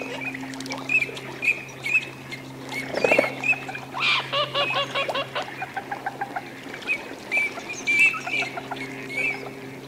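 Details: Wintering Eurasian teal in courtship displays at Aiguamolls de l'Empordà, Spain, 25 December 2015: scattered short high whistles from several birds, with bursts of rattling chatter and a steady low hum throughout.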